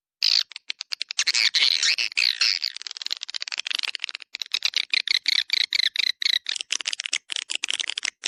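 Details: Swiftlets, 'Dua Bidadari' attraction call for a swiftlet area: a fast stream of thin, high chirps that thickens into a dense twittering chorus, then breaks into quicker clicking notes.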